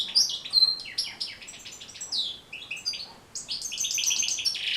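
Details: European goldfinch song used for training and motivating caged goldfinches to sing: fast twittering run of bright, high tinkling notes, buzzy slurs and short trills, with a brief pause near the middle before another rapid twittered burst.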